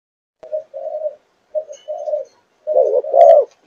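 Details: A Malaysian-line spotted dove, four months old, coos in the chiêu gù chạy style. Three paired low coos are heard in a quiet setting, the last pair louder and rougher.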